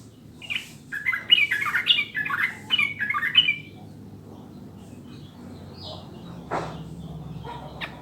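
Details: Yellow-vented bulbul singing, played to prompt caged birds to sing: a quick run of chattering, warbled notes for about four seconds, then a long pause with a few faint scattered sounds and one sharp click.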